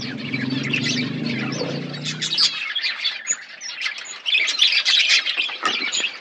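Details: Budgerigars in a colony setup: continuous high chirping and twittering from several birds, a low humming noise in the first seconds, then brighter whistled notes and squeaky chatter.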